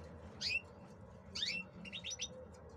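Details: Caged male European goldfinch conditioned for the coming breeding season gives quiet song: two downslurred chirps a second apart, then a quick run of four rising tinkling notes over faint background hum.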